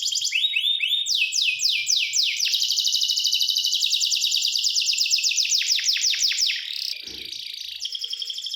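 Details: Canary song passing through several tours: rising slurs, fast sweeping notes, a long dense rolling trill, then slower descending notes, a short pause and a renewed quiet rattle.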